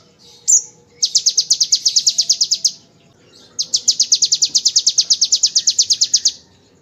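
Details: One sharp chip, then two long, fast, evenly spaced high buzzy trills from a bar-winged prinia singing ngebren style, meant for tutoring magpie-robins and shamas.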